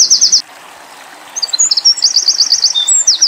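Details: Eurasian wren singing, recorded as tutor song for white-eyes: a short trilled burst, a brief silence, then a rising stream of sharp chips, rolling trills and down-slurred notes.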